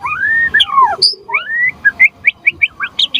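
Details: White-rumped shama song used as a lure and tutor for other shamas: long slurred whistles sweeping up and down, then a run of short rising chirped notes repeated quickly.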